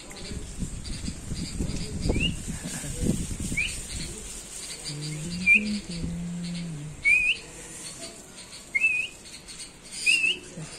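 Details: A mother bulbul protecting her young before their first flight gives short, sharp, upslurred whistled notes, one every one to two seconds, over rumbling background noise and a low hum; the father came by now and then.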